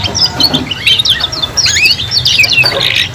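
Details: Several young canaries in a three-bird chorus for song learning: a brief burst of fast twittering, slurred upward whistles and short trilled phrases overlapping densely, with a soft low rumble beneath.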